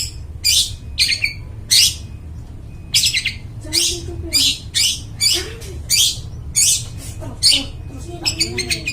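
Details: Long-tailed shrike in loud, clear song used to lure forest birds: short harsh scratchy bursts in pairs and trios separated by brief gaps, with faint low arched tones underneath and a steady low hum.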